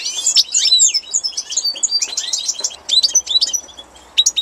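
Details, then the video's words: European goldfinch singing in spring: a fast, tinkling stream of high twittering notes and liquid trills, dense at first, then broken into short bright bursts with brief pauses. "Trnan edna prolet"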